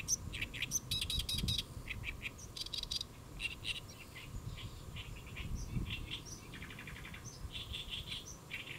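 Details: Great reed warbler on a lotus leaf in Saemangeum, Gimje-si, Jeollabuk-do, Korea, recorded 1 July 2024 around noon; loud harsh croaking and chattering phrases, repeated grating syllables with rattling trills, delivered in uneven bursts over steady low background rumble.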